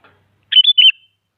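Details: One crisp whistled phrase of three quick liquid notes from an active sooty-headed bulbul, sung to push rival bulbuls into answering song; no other sounds.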